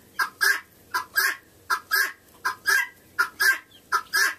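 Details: Female guineafowl sings a repeated harsh, grating two-note call, a short note then a longer one, while a hen scratch-dances, recorded 28 November 2011.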